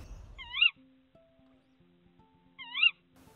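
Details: A female Tawny Owl incubating two eggs in an ash tree nest in the Yorkshire Wolds (2021) gives two sharp, shrill rising-then-falling calls about two seconds apart, asking her mate for food; soft music plays underneath.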